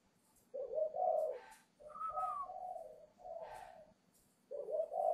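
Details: Young spotted dove from a northern Vietnam bird farm in Ba Vì, Hanoi, whose voice is just breaking, readied to go to a buyer on 10 November; low hollow coos in three phrases, the middle one carrying a higher wavering overtone, quiet indoor background.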